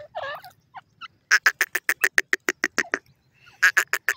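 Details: Partridge calling in its woodland home, giving bursts of sharp, clipped chirps repeated about four times a second, with softer scattered notes between the bursts.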